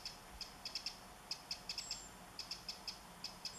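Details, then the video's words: Eurasian wren calling while carrying food for its young, 27 July 2014: sharp, high ticking notes in short irregular bursts, some doubled or tripled, with brief thin grasshopper-like streaks above. "Zaunkönig - Eurasian Wren with call"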